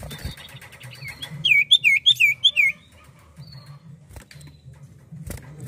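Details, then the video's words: Common iora (cipoh) singing actively: a quick run of five loud, looping whistled notes sliding downward over about a second, then quiet with a few clicks and low background rumble. "SIULAN M4UT CIPOH GACOR!!!"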